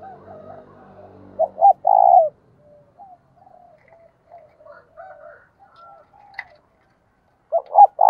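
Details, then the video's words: Spotted dove kept as a decoy to lure wild doves: one loud phrase of two short notes and a rolling coo, with soft distant cooing between, and another phrase starting at the end. "Chim cu gáy mồi thúc gù và gáy gọi hay"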